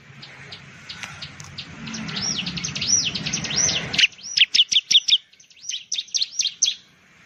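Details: Bar-winged prinia (ciblek), an Indonesian songbird of farmland and villages; arching high notes over background noise, then rapid bursts of sharp ticking chirps in quick groups.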